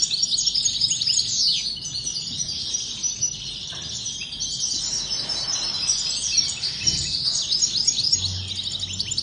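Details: European goldfinch song: fast, jangling high twitters and buzzy trills running steadily for several seconds, with light background noise underneath.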